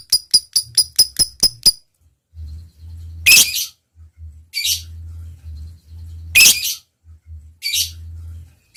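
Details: A lovebird opens with a quick run of sharp high chirps, then gives harsh rasping squawks spaced one to three seconds apart, with a low droning hum between them.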